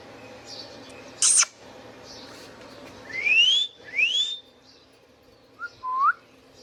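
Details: Pet Indian ringneck parakeet gives one sharp, high screech, then two long rising whistles back to back, ending with a short clipped note and a brief upslurred whistle over a low hum.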